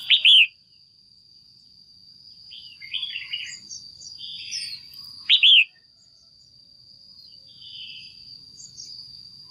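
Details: A female red-whiskered bulbul, used to stimulate males, gives loud, bright chirping notes in short bursts with softer warbled phrases between them and a steady high-pitched whine throughout.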